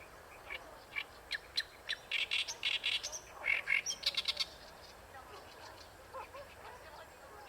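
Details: Oriental reed warbler at Ikeshima singing a burst of rasping, croaking notes in the first half, then quieter with faint distant calls.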